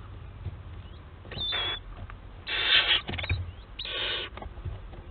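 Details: Three short rasping, hissing screeches from barn owls in a webcam nest at Théding, 4 July 2022, each under a second, interspersed with soft scuffling and tapping.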